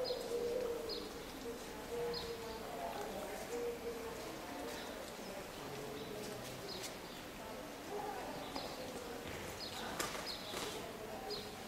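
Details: Eurasian collared dove (Streptopelia decaocto) in Seville, Spain, in April 2011, gives soft, low, hollow coos in short repeated notes, with high thin chirps of other birds and a steady background hiss.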